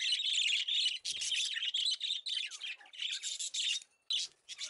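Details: Female pet budgie, described as trained, chattering continuously in high, harsh, scratchy warbles broken by brief pauses, with a quick rhythm of squawky notes.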